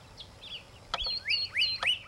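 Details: Pyrrhuloxia with short bright chirps, several rising then falling slurred notes in quick succession, against a quiet outdoor background.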